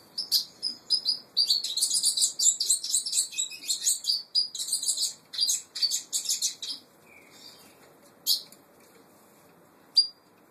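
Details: Brown-plumaged saffron finch (Peruvian canary) sings a long series of bright, high, trilled chirps in quick bursts for about seven seconds. Two lone sharp notes follow after a pause, with a faint low whistle in between.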